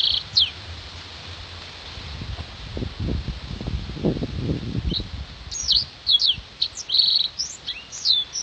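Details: Master song of a Black-throated canary for contest-bird training, opening with a low muffled rumble before crisp high chirps, quick whistled slurs and a short buzzy note burst out in the last few seconds.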